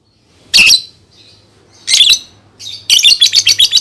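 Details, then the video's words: Shrill lovebird calls used as a lure for young birds: two harsh chirps, a short squeak, then a rapid burst of ticking chatter, over a faint low hum. "SUARA BURUNG Love Bird COCOK BUAT PANCINGAN PAUD"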